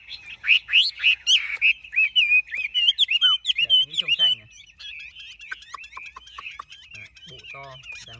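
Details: Large-bodied caged Chinese hwamei offered by a Vietnamese bird seller, singing a loud, varied run of bright whistled phrases, quick slurred notes and short trills, fast at first, then softer, more chattering notes toward the end.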